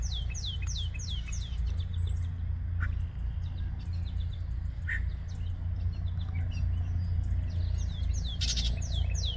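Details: Yellow-breasted chat at Osborn Metropark, Huron, Ohio, 23 May 2023, mid-morning: repeated sharp downslurred whistles in quick series, a brief harsh burst near the end, and scattered clicks over a persistent low rumble.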